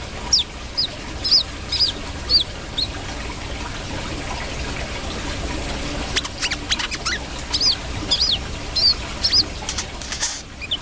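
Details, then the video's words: Brown-throated sunbird delivering bright, high hooked chirps in quick series, pausing midway amid scratchy clicks, then resuming with more evenly spaced notes against a faint background hiss. "KOLIBRI KELAPA GACOR"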